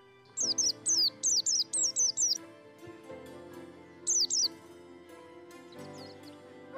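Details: A white-eye, a bird that sings diligently at dawn, gives high, thin, sliding twitters in a quick run of about six notes, then a brief burst and a few softer notes, over background music.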